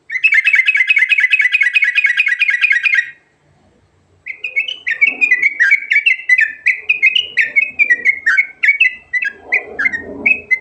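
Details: Sooty-headed bulbul, a lure recording in a rolling song style packed with varied phrases: a dense rapid chattering burst for three seconds, a pause, then a lively series of short bright whistled notes, rising and falling, repeated quickly.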